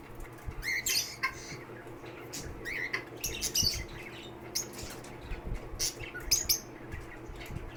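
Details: Captive lovebirds at a bird shelter give sparse bursts of shrill chirps and squawks, a few seconds apart, separated by quieter stretches of low hum.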